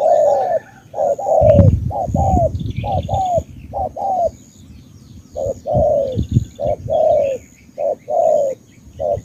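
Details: Spotted dove from Cà Mau, Vietnam, repeating low hollow coos, paired short notes and longer falling hoots, while low thumping noises and a faint high chatter of small birds sound in the background.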